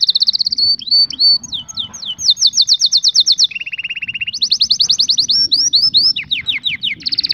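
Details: A canary sings a loud, continuous training song for teaching young canaries, with rapid trills and rolling tours, switching between high buzzy phrases and a lower steady rattle.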